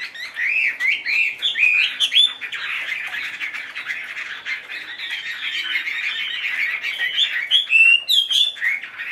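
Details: Tame caged Chinese hwamei, fanning its tail, singing a continuous rich stream of loud whistled and slurred phrases, rising and falling notes interwoven with buzzy chatter and high sharp accents, barely a pause throughout.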